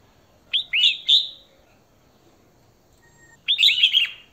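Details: A female red-whiskered bulbul calls to draw in a male, giving two quick clusters of clear, slurred whistles, the second set of rapid descending notes after a pause of about two seconds.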